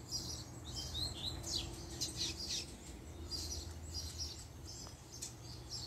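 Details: Coleiro, a double-collared seedeater, in a managed captive pair, reacting to the female's appearance with a string of sharp high chirps and short slurred whistles through the clip, over a constant low background drone.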